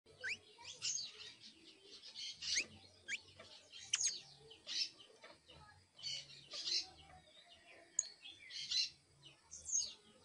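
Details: Young canary chick giving its first songs and trills, a rambling run of scratchy chirps, short upswept whistles and buzzy bursts, with brief pauses between phrases.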